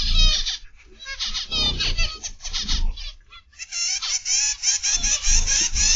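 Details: Several zebra finches in an aviary on 29 November 2021, afternoon: strings of bright, nasal honking notes repeated rapidly by many birds, with a brief lull midway before the chorus resumes, plus faint low background noise.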